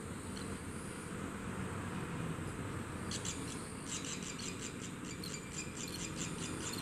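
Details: Barn swallow chicks, newly hatched and watched on their second day, burst into a rapid series of faint high-pitched chirps halfway through, after a stretch of low background hum.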